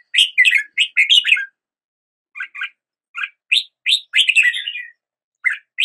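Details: Fast, bright warbled notes from a red-whiskered bulbul, a pause, then scattered rising chirps and one longer trilling phrase; quiet surroundings.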